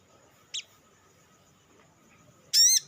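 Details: Olive-backed sunbird, known locally as sriganti or sogok ontong, giving lure calls meant to prompt other sunbirds to sing: one short high double note, then after a pause a louder, sharper high note with a clipped ending.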